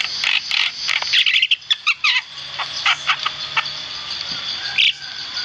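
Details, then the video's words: A Javan myna sings as a training model for other birds, a rapid jumble of harsh, scratchy chatters and squeaky whistles in short bursts, with a faint low hum underneath. "burung jalak kebo gacor"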